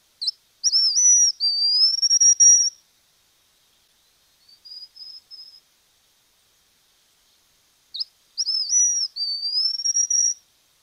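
A Streamer-tailed Tyrant gives two loud, high phrases of sharp, ringing whistles about seven seconds apart, with a fainter short whistle between them. The background is otherwise quiet.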